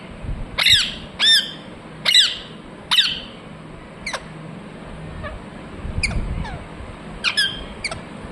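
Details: Four loud, rasping screeches of a Ringneck parrot open the stretch, followed by quieter, thinner chirps and a brief low rumble, with faint hum throughout.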